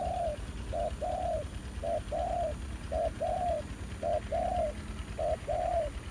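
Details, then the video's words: Spotted dove cooing at a decoy trapping site in the countryside, a new wild male quite aggressive: five evenly spaced phrases, each a short hoot followed by a longer mellow coo, very regular rhythm. "Bẫy cu gáy mồi đất, ra lại bãi cũ sau 1 năm, gặp chú bổi mới khá hăng"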